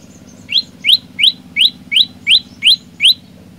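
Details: An olive-backed tailorbird, singing strongly, starts after a brief pause and delivers eight crisp upslurred chirps at a steady clip of about three per second over a faint humming background.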